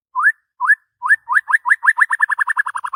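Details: Morning song of an excited white-rumped shama: a rising upslurred whistle repeated, first slowly, then quickening into a fast even trill of the same note in a silent background.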